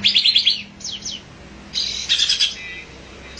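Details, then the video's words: Olive-winged bulbul giving quick runs of high, bright chirps, then a couple of downslurred notes, a short quiet gap, and another brief chattering burst. "olive-winged bulbul"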